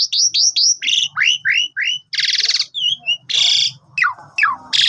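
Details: Varied song of an Asian pied starling, used as a morning lure for a sulking caged bird: rapid upslurred whistles, harsh raspy bursts between them, and sharp falling notes over a faint low murmur.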